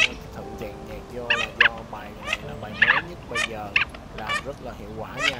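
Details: Male and female Mandarin ducks calling the flock, a lure sound for night net trapping of migrating birds; short harsh harmonic calls in irregular bursts, with tonal music mixed in behind.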